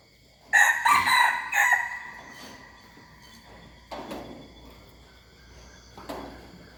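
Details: Young hybrid junglefowl rooster giving one short, loud, hoarse crow in a few rising and falling segments, followed by steady background hum and two fainter thuds.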